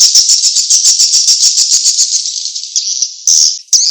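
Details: Swiftlet call played as a mating-chase lure: a rapid series of high, dry clicking chirps, over two per second, that merges into a continuous buzzy trill before ending in louder abrupt bursts.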